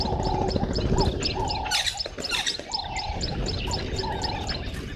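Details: Red-billed buffalo weavers collecting nesting material at Gowrie dam waterhole, Djuma Game Reserve, Sabi Sand, South Africa, at 05:30 on 11/08/2023, give a harsh, gurgling chatter about twice a second, with thin high chirps and a low background rumble.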